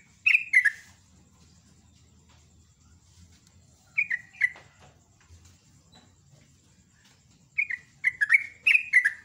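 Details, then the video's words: Sooty-headed bulbul singing loudly in the morning, short bursts of two or three bubbly whistled notes separated by pauses of several seconds, ending in a longer quick run; quiet low background hum. "BURUNG TRUCUK GACOR ROPEL NGUKLIK"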